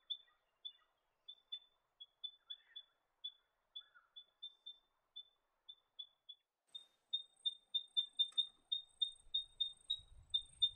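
Eastern spinebill giving a long series of high, thin piping notes, about three a second, quickening and growing louder toward the end, with a low rumble at the close.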